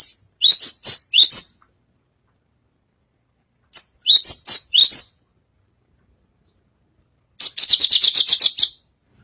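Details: Javan bushlark (branjagan) on a stage, a hard-singing bird: two groups of sharp, slurred chirps separated by pauses, followed by a long, rapid rattling trill.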